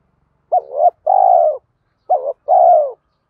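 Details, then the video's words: Spotted doves, male and female, cooing to stimulate birds in training. Two low cooing phrases, each a short wavering double note followed by a longer, steady coo that falls at the end. Clean background. "Tiếng chim cu gáy THÚC GÙ Gáy Gọi, nhiều bài vở(tiếng chim cu gáy kích bổi hiệu quả)"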